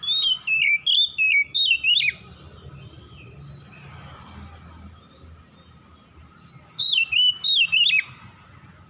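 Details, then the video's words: At dusk, an Oriental magpie-robin delivers a burst of rich whistled notes, rising and falling, then falls silent for several seconds before a second whistled phrase; steady low hum underneath. "KICAUAN BURUNG KACER DIKALA SENJA"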